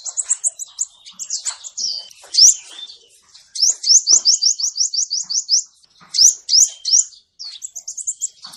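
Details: A male sunbird is recorded for trapping lures. Very high, sharp rising notes come in quick runs, including one fast even series of about a dozen upslurred chips, and pause between phrases.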